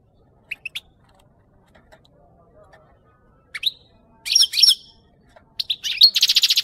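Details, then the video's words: European goldfinch song used to train goldfinches to sing: scattered high twittering notes and short buzzy phrases, quiet gaps between them, ending in a loud rapid run of repeated chips. "SAKA KUŞU HUYLANDIRMA"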